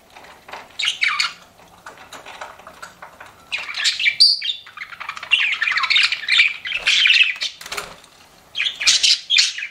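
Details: Pet budgerigars kept together, giving bursts of busy chattering chirps and squawky warbles, mostly high-pitched and scratchy, in several runs of one to three seconds separated by short quiet gaps; faint clicks in between.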